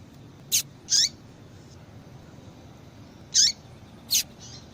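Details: Female yellow-bellied seedeater calling repeatedly to arouse males: high chirps in loose pairs, some with a downward-sweeping tail, four strong notes and faint softer ones in under five seconds.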